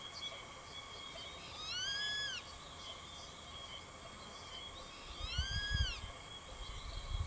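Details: Juvenile grey-faced buzzard calling insistently at an adult, which finally chases it off. Two bright, ringing whistled calls, each arching up then down, about three and a half seconds apart, with some rumbling wind around the second.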